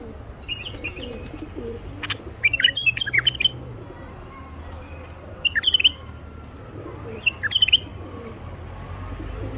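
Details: Common bulbul male song for stimulating quiet wild bulbuls and females to breed. Brief jumbled whistled phrases come near three, six and eight seconds, separated by stretches of loud low rumbling noise.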